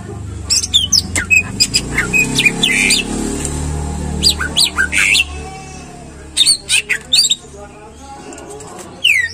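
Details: Greater green leafbird song played to coax leafbirds into singing: quick series of sharp, high ticks and slurred whistles in irregular bursts, then quieter gaps and a final downward-sliding note, over a low background hum.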